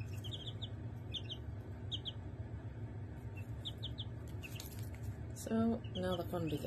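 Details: Five-day-old Barred Rock and Australorp chicks in an indoor brooder pen under a heater, 28 February 2023; high, thin peeps in quick pairs and short bursts, then a person speaking near the end over low hum.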